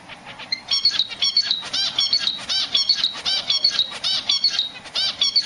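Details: A zebra finch in its nest gives rapid, nasal, buzzy chirps in quick repeated bursts, calling for its mate.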